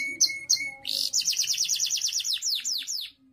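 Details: Canary in full song, valued for contests and for teaching other birds: two sharp high notes followed by a fast, evenly pulsed trill that slows into separate downslurred chirps.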